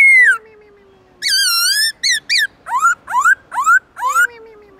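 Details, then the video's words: Black-throated laughingthrush in the "forest voice" song style with long, loud, clear tones. A falling whistle and a long, low, sliding tone lead into a wavering whistled phrase. Then comes a string of quick rising, buzzy-edged notes. "Khướu bạc má HÓT GIỌNG RỪNG tone dài to rõ cực hay"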